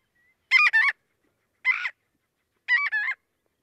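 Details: Marbled Godwit giving three loud, raspy, scream-like calls, mostly doubled "god-wit" notes about a second apart, an upset alarm announcing a potential predator in the neighbourhood.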